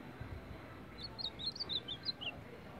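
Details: Champion Ultramarine grosbeak singing in the baderna style: a quick phrase of about ten short, slurred, chirping notes over roughly 1.3 seconds, high and warbling, then silence, with soft low rumbling noise underneath.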